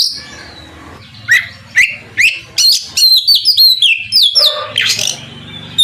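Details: Oriental magpie-robin song meant to goad a rival bird into singing back. Rapid rising whistles give way to a dense run of clear descending notes and buzzy bursts, with a low hum behind.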